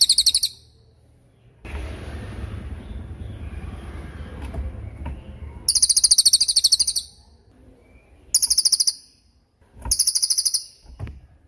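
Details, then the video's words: Lesser forktail master recording for songbirds: four bursts of fast, sharp, very high notes, the first brief, with a stretch of rushing low noise after the opening. "MASTERAN CILILIN || TAJAM DURASI PANJANG"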